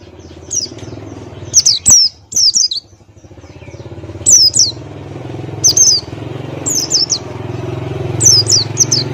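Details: Male Buxtoni white-eye singing ngalas-style: high, thin downslurred chirps in pairs and triplets every second or two, over a steady low engine-like rumble.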